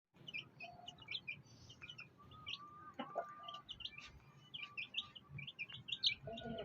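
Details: A black hen with her fighter-breed chicks: many thin, high peeps from the chicks scattered throughout, with a few soft low clucks and light background noise.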